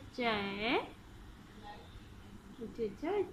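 An Alexandrine parakeet mimicking human speech: a long, swooping word-like phrase, then a shorter two-part phrase about two seconds later, in a quiet room.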